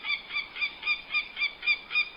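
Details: A female American Goshawk defending her nest in the Adirondack forest gives a harsh, nasal kak-kak-kak warning call at a human intruder while diving at him, about four even notes a second in a steady run.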